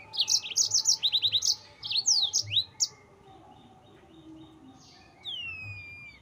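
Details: Yellow-fronted canary singing continuously, a lure to provoke rivals: a dense run of rapid high trills, then several sweeping slurred notes, a quiet pause, and a long descending whistle at the end.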